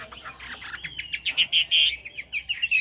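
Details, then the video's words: Chinese hwamei warbling in a hurried, scratchy run of notes that builds into a few loud, ringing whistles, over a murky background. "Họa mi hót cao cầu"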